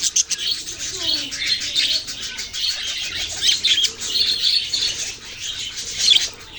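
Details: Baby budgerigars chirping in a constant, dense chatter of high, rapid tweets and squeaks that rise and fall in loudness throughout.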